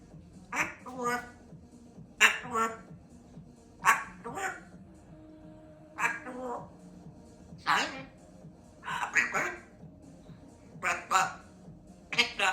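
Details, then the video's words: Chatty female African grey parrot practising words such as "I love you", "apple" and "walk"; short speech-like syllables come in clusters roughly every one to two seconds over a low indoor hum. "African Grey Parrot hard at work practising her words"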